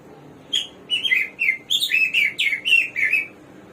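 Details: Hwamei, called samyong or garuwa and known as a bird of 1001 voices, singing a brisk phrase of about ten loud, rich whistled notes, each bending in pitch, delivered in quick succession.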